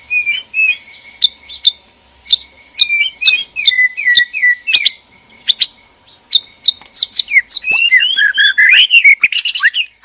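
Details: Male and female white-rumped shamas in a breeding cage, calling to stir mating arousal. Loud, clear whistled notes repeat with sharp clicks, then build into a rush of varied sweeping whistles and quick trills.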